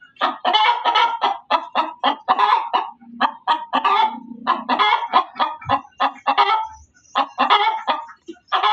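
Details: A hen cackles loudly: dense runs of clipped, raspy clucks with occasional drawn-out squawks, nearly continuous over the whole stretch, with a low hum and a couple of soft thumps underneath.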